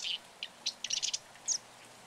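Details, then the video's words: Marsh wren of North American wetlands uttering a short series of sharp, high ticking chips, spaced irregularly over two seconds, against faint background hiss. "Marsh Wren - Song & Call"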